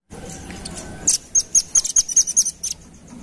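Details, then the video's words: Velvet-fronted nuthatch lure call: after a brief low rustle, a rapid run of about ten sharp, very high chipping notes, roughly six per second, slightly uneven in spacing. "Suara Pikat Burung Rambatan Ampuh"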